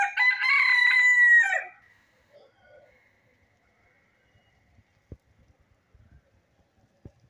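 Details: Country hen, recorded while feeding, giving one loud harsh drawn-out squawk of about one and a half seconds, then near silence with faint clicks and rustling.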